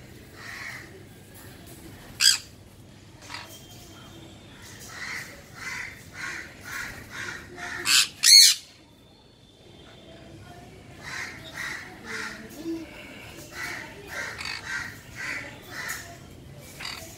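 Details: A semi-adult pair of sun conures (Aratinga solstitialis) calling: harsh, piercing squawks between softer repeated chattering notes.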